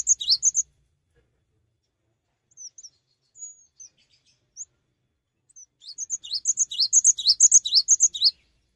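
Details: Cinereous tit singing gacor without hopping. Brief notes open the song, then a few soft scattered high whistles. A long run of sharp repeated two-part phrases closes it, growing louder.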